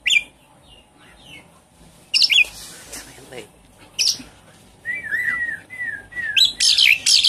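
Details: Javan pied starling lure song, played to prompt a silent caged bird to start singing: scattered high chirps, then harsh bursts and a run of short whistled rising-falling notes near the end.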